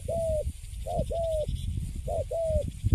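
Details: Caged spotted dove of the Cấn Sấm type, wild-caught and kept quiet once placed in its cage, its cooing called quite good: short mid-pitched coos, each a brief note then a longer level note gently falling, repeated three times over low rumbling background noise.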